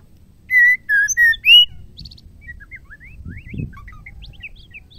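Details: A female white-rumped shama, singing to stir males into song, opens with four loud clear whistles, then trails off into soft, rapid twittering and short high chirps with faint low background noise.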